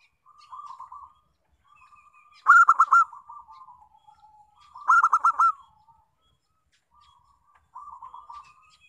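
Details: Local zebra dove cooing, played as a lure to prompt other doves to sing. Soft coo phrases alternate with two loud, clipped, rhythmic bursts of quick notes, spaced a few seconds apart in an otherwise quiet setting.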